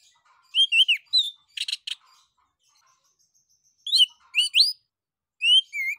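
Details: Orange-headed thrush (anis kembang) in full ngeplong song, meant to lure other birds into singing. Bright slurred whistles and a burst of buzzy notes, a quiet gap, then loud rising and falling whistled phrases.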